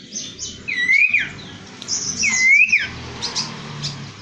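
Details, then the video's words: Common iora making short upward-slurred whistles, two phrases about two seconds apart, mixed with high buzzy chirps and a low background hum. "suara gagah burung cipow yang indah"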